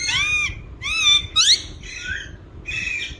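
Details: Indian ringneck parakeet, a talking green parrot, giving a few raspy, high squawking phrases with slight downward bends, over low background hum.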